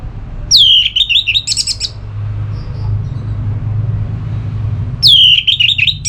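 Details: Orange-headed thrush giving ngeplong song meant to provoke other birds into singing: two loud phrases, each opening with a clear falling whistle into twittering trills, separated by a three-second pause filled with low rumble.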